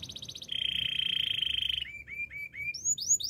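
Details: Canary singing a fast high rattle, then a long steady rolling trill, then a run of short upslurred whistles rising into higher sweeping notes.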